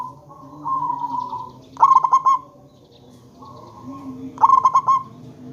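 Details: Local zebra dove calling, recorded as a lure to make other zebra doves call back: two bursts of four to five quick, pulsed cooing notes about three seconds apart, between long steady tones and lower drawn-out notes.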